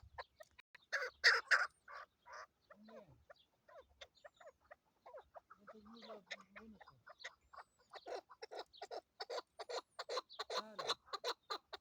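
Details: Female chukar partridge calling as a hunting lure: quick series of harsh, clucking notes in bursts, pausing briefly midway, then resuming in a fast, steady run of sharp chuck notes toward the end.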